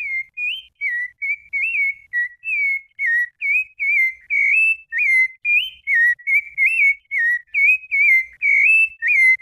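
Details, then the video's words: Rufous-bellied thrush giving its fluted song: clear, pure whistled phrases, short rising and falling notes repeated about twice a second with steady rhythm, in a quiet setting. "SABIÁ LARANJEIRA BRUMADO CANTO FLAUTEADO"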